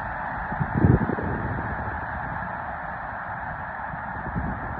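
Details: Massed snow geese rising from Mobridge, South Dakota, in early March: a constant chorus of overlapping honks like a roaring crowd, with a brief loud low burst of rumbling near the first second.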